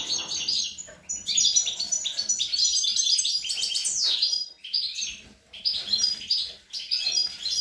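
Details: European goldfinch feeding its young, recorded 25 April 2021: a dense, rapid twittering song of tinkling, buzzy notes and liquid trills, high-pitched, with brief pauses near one, four and a half, and six and a half seconds.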